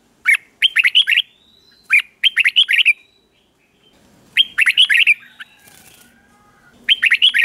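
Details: Red-whiskered bulbul sings short, bright phrases of four to six quick, liquid whistled notes, delivered slowly and clearly, in bursts every couple of seconds with quiet gaps between; playback meant for caged bulbuls to copy.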